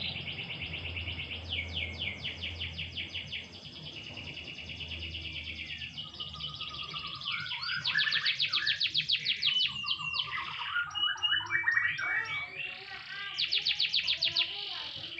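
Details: Lightly sunbathed canary in a long varied song: fast rattling trills, rising and falling whistled runs, dipping slurred notes and another rapid trill near the end, with soft low hum underneath.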